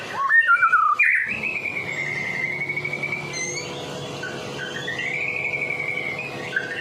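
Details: White-rumped shama from Medan singing to lure other shamas: sharp opening chips, then long sliding, wavering whistles held for several seconds, with a faint background hum.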